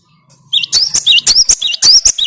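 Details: Cinereous tit song: a quick series of sharp, high, rising whistled notes with a buzzy edge, repeated rapidly after a short quiet start. No other clear sounds.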